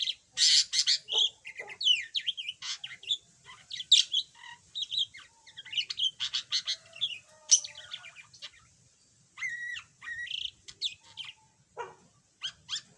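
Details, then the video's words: Long stretch of chatter from a yellow budgerigar that was once silent: dense, rapid chirps, squeaks and grating buzzes, near continuous with only brief breaks. "Kicau Burung Parkit"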